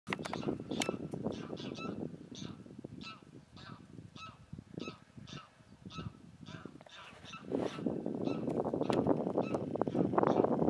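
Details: Greylag geese (Anser anser) giving harsh, nasal honks in quick irregular series, several birds overlapping over a low background rumble, at the Izliv Soče nature reserve (Soča river mouth) on 17 March 2023.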